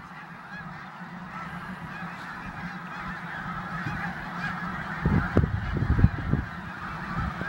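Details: Snow geese in a Pennsylvania corn field in December 2021: a constant massed din of many distant calling geese, with louder, lower honks bursting out near the end.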